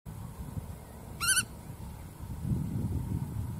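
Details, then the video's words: Black-tailed godwit (Limosa limosa): one short, nasal, rising call note rich in harmonics, heard once over a steady low rumble of wind or distant traffic. "黑尾鷸(黑尾塍鷸)/Black-tailed Godwit"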